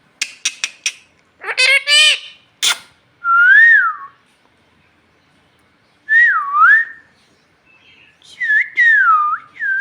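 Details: Pet parrot that talks in Bhojpuri, begging for roti: a quick run of clicks, two rising raspy speech-like syllables, then three wavering whistles separated by silences.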